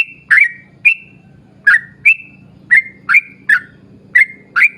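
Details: Yellow-vented bulbul singing vigorously in a long rapid 'ropel' style, used as a lure to set other bulbuls singing: short bright chirping notes dropping then levelling, about nine in under five seconds, over a low steady hum.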